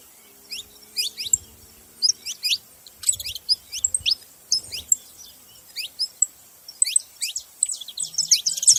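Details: Saffron finches making noise: many high, thin chirps and downslurred notes in irregular bursts, growing denser and more overlapping toward the end, with faint low thuds and a soft hum.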